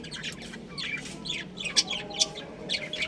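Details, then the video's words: Colony of pet budgerigars chirping together: a dense overlapping chatter of high, quick chirps and warbles from many birds, over a steady background hum. "Beautiful Budgies Chirping Sounds"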